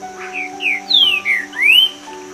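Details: Male Green-winged Saltator, known as trinca-ferro or pixarro boi in Brazil, singing to mark territory and attract females: five loud, clear whistled slurs, most falling in pitch and the last rising, over steady background music tones.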